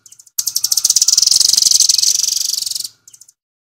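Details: Nuthatch of the Doraemon type singing at full speed: a fast, steady run of high, sharp chirped notes, about four per second, lasting over two seconds, with a few quieter notes before and after.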